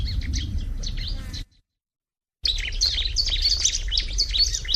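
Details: Busy high chirping of a bar-winged prinia, quick overlapping twitters, broken by a sudden second-long silence before the chirping resumes louder, over a low rumble.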